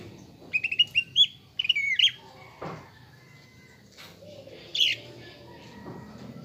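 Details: Caged greater green leafbird used as a lure to make other birds emotional and build a fighter mentality: quick cluster of clipped whistled chirps, then a few scattered notes and a rustling thump amid low background noise.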